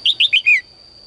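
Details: Caged female bird's morning song meant to draw more singing from males: three short bright chirps then a longer down-slurred note, all in one rapid burst, with a constant high whine behind.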